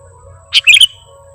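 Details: Lure recording of a sooty-headed bulbul, meant for trappers: a single quick burst of clear, sharp chirping notes, rising then bubbling, about a third of a second long, with faint steady background tones.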